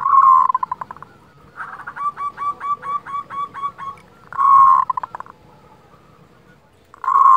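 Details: Local zebra dove with kerot calls meant to raise breeding desire and emotion. Gritty churring bursts open the clip, come again midway and return at the end. Between them runs a series of about nine pulsed, bubbling notes.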